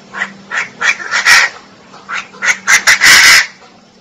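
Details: Calls of a female Chinese francolin: spaced nasal notes quicken into closely packed, loud, grating bursts near the end, over a faint steady hum.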